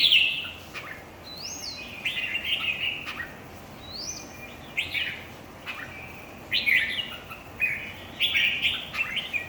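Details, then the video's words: Red-whiskered bulbuls in a singing match: lively chirping, warbling phrases interspersed with arched, rising whistles, coming in clusters with short pauses, over steady hiss. "chào mào thi đấu 3"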